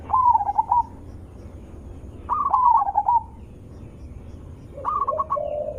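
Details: Loud zebra dove song used as a lure so other zebra doves reply: wavering stuttered phrases, repeated about every two seconds, with a lower sustained coo from another dove answering at the end.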